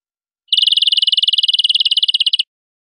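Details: European greenfinch song for aviary use: one even, rapid trill of about two seconds, roughly fourteen notes a second, steady in pitch, in otherwise clean silence.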